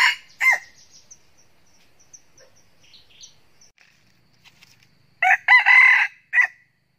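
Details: Red junglefowl cock used as a decoy, crowing to draw in wild roosters. Two short clucking bursts open the clip, followed after a quiet spell by a choppy crow made of several harsh pulses, then a final short note.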